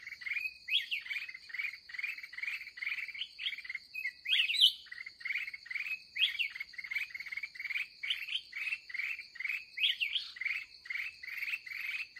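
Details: Red-whiskered bulbul, a fired-up wild bird met on the day's final trapping outing; rapid series of short, even chirps about three per second, broken by a few louder twisting whistles, with a steady high whine behind.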